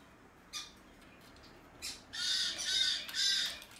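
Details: Domestically bred, hand-tame blue-eyed cockatoo giving loud, harsh, rasping squawks, three broad bursts in the second half, each about half a second long, after a couple of short soft clicks.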